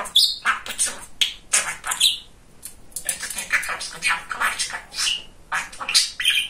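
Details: A very chatty male talking budgerigar chatters in rapid, raspy mimicked Russian speech, a stream of scratchy syllables broken by short pauses and a few bright chirps.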